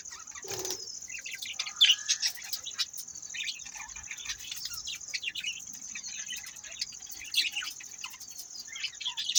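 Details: Budgies keep up busy high-pitched twittering of quick chirps and scratchy warbles, opening with a sharp knock and fluttery movement, over a faint constant high whine.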